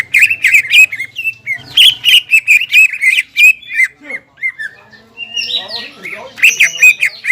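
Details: Greater green leafbird in energetic full song, played to stir stressed leafbirds that have stopped singing; rapid varied chattering and squawky notes around mid-high pitch, with slurred whistles and a brief quieter gap midway.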